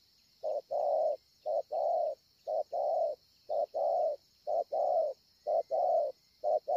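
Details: Wild spotted dove cooing well at Ngọc Hồi on 25 March 2020: low, mellow paired coos, each a short note followed by a longer one, repeated about once a second, over a steady faint high-pitched hum.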